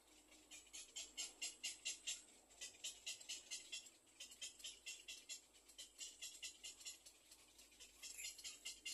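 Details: Little egret chicks at their nest begging for food make rapid, scratchy ticking pulses, roughly two per second, loudest early on and repeating evenly to the end.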